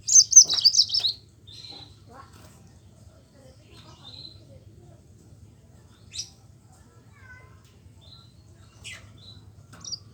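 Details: Yellow-fronted canary singing a lively rolling song used as a lure to prompt reluctant Mozambique canaries to sing: one high, warbled, quickly undulating trill of about a second, then scattered thin single notes over a low steady hum.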